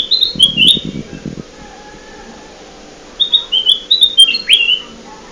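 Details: Kutilang emas lure for catching birds: two whistled phrases of short descending notes, each ending in a sharp rising-falling slur, with a burst of low rumbling noise beneath the first phrase.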